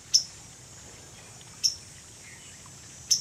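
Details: Waterthrush moving about on a branch directly overhead on 30 July, giving sharp, high, metallic chip notes, three in about three seconds, spaced roughly every one and a half seconds, over a faint low hum of background noise.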